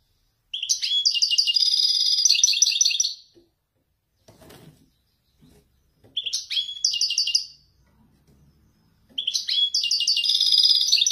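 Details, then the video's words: European goldfinch, Wedani type, excelling at authentic Marrakchi descending phrases: three long, rapid twittering bursts of buzzy, jingling notes separated by pauses, with a soft rustling or knocking sound in the gaps. "حسون ويداني يتفنن بالنزولات المراكشية الأصيلة"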